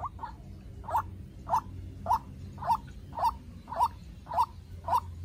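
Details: A young decoy White-breasted waterhen battling a wild one calls in a very regular rhythm, sharp rough notes spaced about half a second apart, loud and clear against a quiet background.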